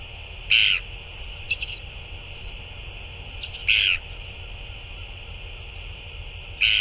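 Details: Northern royal albatross recorded on 9 February 2024 during a feeding: short harsh bursts, each about a quarter second, sounding at irregular intervals of roughly one to three seconds, with a fainter call between them over a steady hiss.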